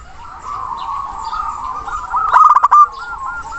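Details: Zebra dove of local stock calling a rival: a steady murmur of soft cooing swells into a short, loud, staccato burst of clipped notes, then rolling coos resume.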